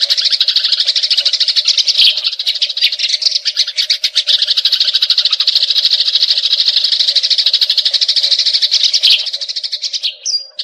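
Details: Eurasian tree sparrows fighting with an extended rolling chatter: a dense, continuous rattle of rapid high notes that swells and fades slightly, ending in a few separate chirps.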